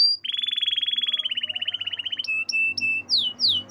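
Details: Canary song opening with a long buzzy trill that slowly sinks in pitch, followed by short flat whistles and a few sharp descending sweeps.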